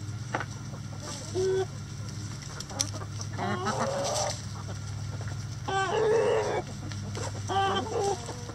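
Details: Rooster crowing in a chicken coop: drawn-out harmonic calls of almost a second, the loudest rising then holding, heard three times amid scattered hen clucks and a steady low hum.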